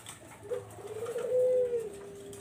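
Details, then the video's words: Barbary dove call, used as a lure for zebra doves: a single low, drawn-out coo that starts softly, swells into a steady held tone for over a second, then trails off, with a faint room echo. "SUARA BURUNG PUTER BUAT PANCINGAN BURUNG PERKUTUT"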